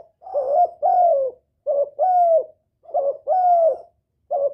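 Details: Spotted dove calling to lure and attract males: clear, mellow coos come in paired groups, a short note followed by a longer, gently falling one, repeated about every 1.5 seconds.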